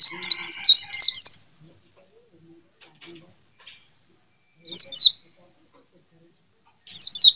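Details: White-eye, a small yellow-green bird prized for its sweet twittering: a quick tumble of high slurred notes at the start, followed after silence by two short, shrill descending phrases.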